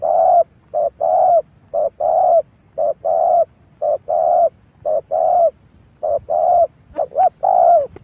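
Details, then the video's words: Spotted dove cooing as a lure for wild doves: steady series of low, soft coos, a brief note then a longer one, repeated about every second. "Tiếng chim cu gáy mồi rút bổi cực đỉnh bổi rớt liền"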